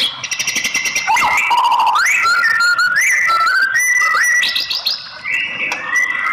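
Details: Female white-rumped shama song used to rouse a male into singing: pure whistled tones that slide upward in steps and hold level, mixed with rapid high twittering trills and a loud continuous background.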